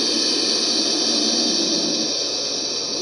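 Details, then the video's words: A turkey vulture gives a steady, breathy hiss, a harsh rushing sound like escaping steam that holds for the full three seconds with no other sounds. "The hissing Sound Of the turkey vulture"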